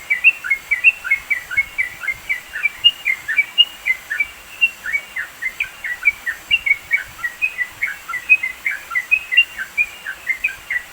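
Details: Yellow-vented bulbul from the East Java mountains, used to train songbirds, delivering a lively unbroken stream of quick chirping, downslurred and upslurred notes packed closely together over steady faint hiss.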